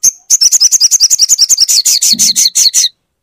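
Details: Crimson sunbird song meant to stimulate a silent bird to sing, a rapid run of high buzzy notes about five per second, slightly descending near the end, with a brief low rustle beneath.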